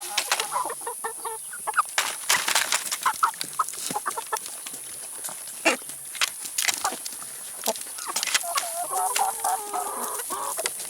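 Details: Chickens eating salad and vegetables, giving soft scattered clucks and a few short harmonic calls among many sharp pecking clicks, with a steady high hiss throughout.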